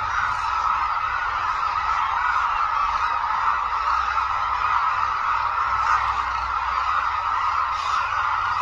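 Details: Hooded cranes at the Suncheon Bay Wetland migratory bird site in Korea; many birds honk at once, producing an even, unbroken chorus of nasal calls throughout.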